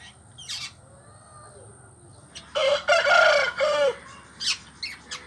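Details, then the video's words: Pet green rose-ringed parakeet starting to talk: a loud, harsh, speech-like burst of stacked tones in the middle, with short sharp squeaks before and after over a quiet room. "Talking Start 🦜 my green Ring nek parrot"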